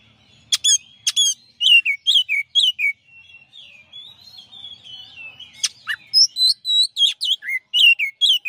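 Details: Oriental magpie-robin, a champion bird, in master song. Sharp high clicks open a stream of varied whistled slurs. A pause of rambling softer twitter follows, then loud falling whistles repeated nearly twice a second resume.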